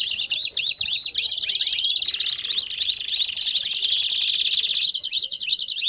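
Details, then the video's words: A 'baderna' canary song, used to stimulate other canaries, opens with quick upward-swept whistles, then settles into a long even trill of rapid high notes and ends with rising chirps. "Canário Baderna de Para Esquentar Seus Canários"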